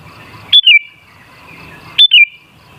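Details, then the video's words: Sooty-headed bulbul, a lure track meant to spur bulbuls into singing: a pair of clear whistled phrases that start high and step briefly downward, separated by roughly one and a half seconds of quiet hum. "Suara Burung Kutilang Sangat Ampuh Untuk Pancingan Jadikan Kutilang Ngamuk Gacor"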